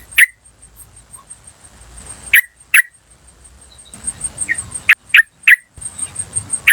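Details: Wild yellow-vented bulbul giving sharp, clipped 'cuk' notes, singly and in quick groups of two or three, separated by pauses, over a steady thin high whine and soft low rumble.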